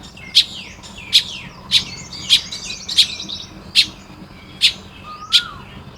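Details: Nest-building baya weavers, morning, Lopburi, Thailand, 1 May 2026. Crisp repeated ticks come at fairly even intervals above busy high chattering, and one falling whistle is heard near the end.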